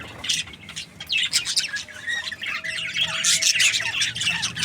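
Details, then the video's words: Happy budgie twittering in quick high chirps and squeaky warbles, quieter at first, then building into louder dense chatter toward the end. "Happy Budgie chirping sounds"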